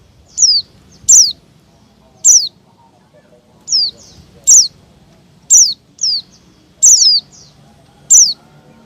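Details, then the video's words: Agitated white-eye calling meant to draw in wild white-eyes and small birds: a steady series of thin, high, falling notes, often given in quick pairs, roughly every second. "Suara Pleci Ribut"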